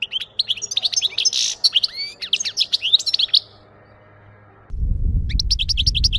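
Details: European goldfinch song, from recorded song played to catch birds: rapid, tinkling twitters and slurred whistles for several seconds, then a pause. A loud low rumbling noise starts as further short twittering notes follow.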